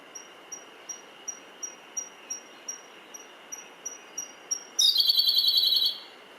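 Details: Siberian Blue Robin singing on Mount Mitsutoge, Japan, in June 2019: a long evenly paced series of thin high ticking notes, about three per second, then a sudden loud fast rattling trill.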